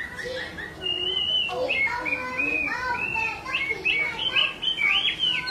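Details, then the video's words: Chinese hwamei, a female calling repeatedly while a male grows agitated, used to rouse males to sing: clear whistled notes and slurred rising-falling phrases in quick, uneven succession, with a few lower warbles between them. "Họa mi mái xùy liên tục, họa mi trống không yên"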